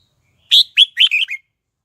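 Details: Lure red-whiskered bulbul singing to draw wild rivals in to fight, giving a single rapid phrase of five sharp, warbled notes that step slightly downward, with silence around it.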